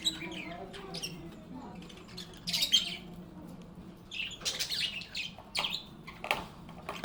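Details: Budgerigars chirping and chattering together, calm and happy: short, sharp chirps and squawky notes in scattered bursts, busiest toward the middle and end, over a steady low hum.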